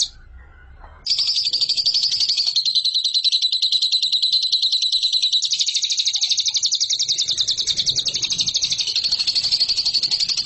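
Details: Lovebird kept as a competition bird, recorded as a training master; after a second of near silence, a long, fast, buzzy trill of rapid repeated high notes runs on without a break.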